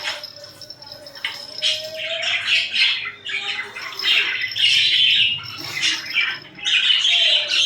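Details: Pet budgerigars cuddling and fighting, chattering in continuous raspy, buzzy warbles that swell and fade over several seconds, with a few squeaky notes mixed in.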